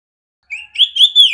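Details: Female oriental magpie-robin, a bird played to other magpie-robins to train them, giving a brief clear phrase of rising and falling whistled notes after a short silence.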